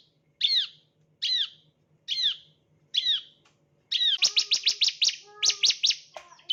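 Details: Bar-winged prinia chirping, used as a lure for training birds: four spaced, down-curving chirps about a second apart, then a sudden rapid burst of sharp notes with lower slurred tones mixed in.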